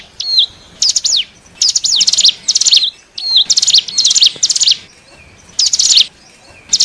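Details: Hill prinia lure sound for wild birds, mixing hooked whistles with rapid high chirping bursts and downward sweeps, repeated in phrases roughly every second.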